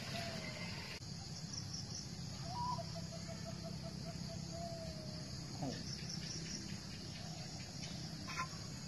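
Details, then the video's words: A six-month-old zebra dove gives a soft cooing phrase: a short rising note, then a quick even string of staccato coos, as insects hum steadily in the background. "นกเขาชวา เสียงกลางปลายยาว"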